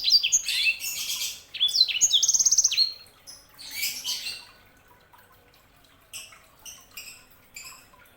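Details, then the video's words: Sanger, a canary hybrid, singing: bursts of bright, high, rapid twittering with fast buzzy trills and sharp downslurred notes for about three seconds, then softer broken phrases and scattered chirps after pauses, with a faint trickle of water in the background. "KICAUAN SANGER"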